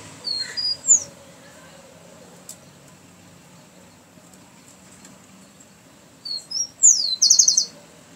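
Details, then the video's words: Rufous-collared sparrow singing twice: a brief high whistled phrase near the start, then after a long quiet gap two clear whistles, a falling slur and a fast dry trill, over soft low background hum. "Chingolo o tico tico cantor"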